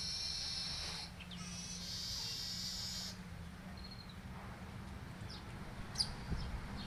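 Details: Yellow-headed weaver with canary song learned as tutoring, dated 10 July 2019, delivers two long hissing, buzzy strophes and then sparse sharp chips and a faint whistled note, over low steady background noise.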